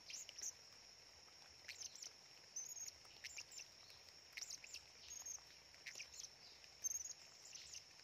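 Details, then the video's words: A blue-crowned hanging parrot perched quietly in the middle of a forest gives thin, very high squeaky chips about once a second over a steady, shrill insect drone. "Serindit gacor"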